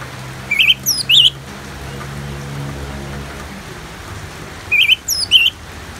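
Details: Orange-headed thrush song with natural rain, meant as soothing therapy; two short phrases of three twisting whistled notes each, about four seconds apart, over rain hiss and a low droning hum.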